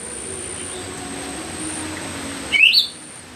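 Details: Myzomela giving a single loud, high, squeaky call with a quick rising-and-falling twist, in raw footage from 25 December 2022, after quiet background hum.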